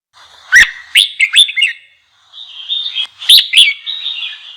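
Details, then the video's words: Red-whiskered bulbul singing to stimulate other bulbuls to sing: loud bursts of sharp, rolling chirped notes, followed by a softer, wavering warble and then another bright phrase of quick, clipped notes. "GIỌNG CHÀO MÀO KÍCH BỔI _ KÍCH CHÀO MÀO BỔI CĂNG LỬA"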